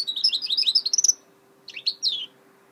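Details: A goldfinch hybrid gives a quick rattling run of high twittered notes for about a second, falls silent, then adds a short burst of two slurred, descending whistles.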